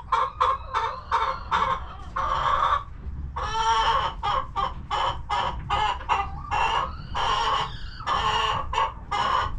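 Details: Chickens clucking in their coop on a homestead while relaxing. Loud, throaty, broken clucks follow each other in quick irregular bursts, some drawn out and rasping, with brief gaps between groups.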